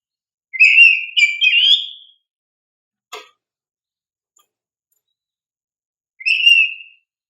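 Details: Oriental magpie-robin (kacer) song meant to prompt young caged birds: a choppy whistled phrase of rising and falling notes, a single click, silence, then one short whistled phrase.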